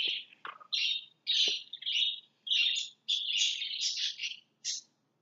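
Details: Several lovebirds in their house, busily trying to clear everything out of it, give a fast run of shrill, high chirps. The chirps come in bursts and blend into buzzy chatter, with short gaps between them and no other sounds.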